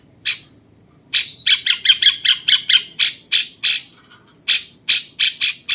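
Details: Rasping chatter from a cucak cungkok bulbul serving as master song for contest birds: a single squawk, then a fast run of about a dozen harsh notes, a pause, and five more.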